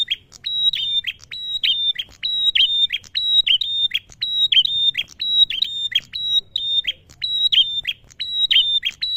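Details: Male prinia singing steadily, used to draw other birds into song: high, thin whistles with clipped downward endings, repeated roughly once a second in a long, regular series, with a faint low background rumble.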